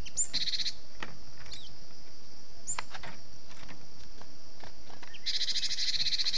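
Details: Cinereous tit lure call: harsh, buzzy churring bursts at the start and end with sharp high chips between, over steady hiss; a call used to lure wild cinereous tits.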